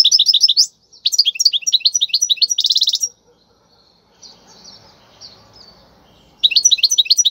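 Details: Wild European goldfinch song in khalwi style, used for tutoring young goldfinches: rapid high twittering phrases with buzzy, tightly packed trills, a pause of faint murmuring, then the twitter resumes.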